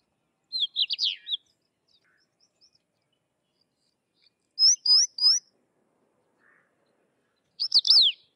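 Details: Sykes's lark singing in separate bursts: a quick cluster of sharp high chirps, three loud clipped notes after a pause, then a final tight flurry of chirps.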